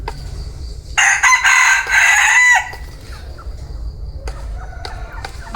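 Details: A bantam cock crows once, a loud rasping harmonic call lasting about one and a half seconds with brief breaks. Soft clicks, faint chirps and low background hum follow.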